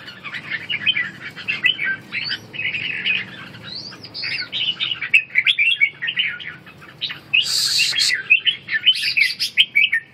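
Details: A red-whiskered bulbul (Pycnonotus jocosus) gives its 'ché' call while wing-fluttering, a busy, scratchy chatter of quick, harsh, slurred notes in uneven bursts, with a brief rustling flutter partway through.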